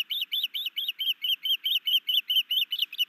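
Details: Rapid, insistent series of about thirteen shrill whistled chirps from the new male osprey at a Hellgate Canyon nest in Missoula, Montana, calling on 11 May 2019 while sky dancing and bringing his mate a fish.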